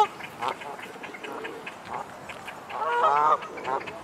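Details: Two pairs of Great Crested Grebes in a territorial faceoff at a lake island's corner, the winning pair congratulating each other: harsh, nasal, braying calls in short bursts, one longer, louder rasping call near the end; faint hiss.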